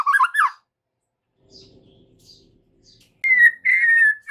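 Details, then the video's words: White-rumped shama lure for afternoon use with young shamas: a loud warbled burst, a stretch of faint low humming, then two strong sustained whistled notes. "PANCINGAN MURAI BATU SORE HARI UNTUK TROTOL DAN PASTOL, AGAR MURAI NYAUT GACOR"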